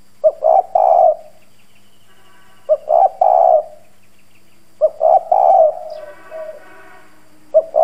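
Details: Decoy spotted dove with a husky bronze voice, cooing to stir up wild doves. Low three-note phrases come about every two seconds, with a faint buzzy background sound near the end.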